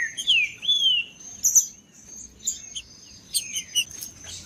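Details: Green-winged saltator singing in the macheando style, meant to warm up other birds and provoke singing: rich, slurred, falling whistles at the start, then scattered short chirps, with a steady high whine behind.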